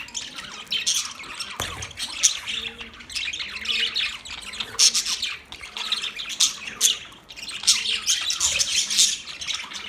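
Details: Pet budgerigar, an Australian parrot, chirping in a dense, continuous chatter of high, scratchy warbles and quick tweets, with louder bursts near the start, middle and end and only short dips in between.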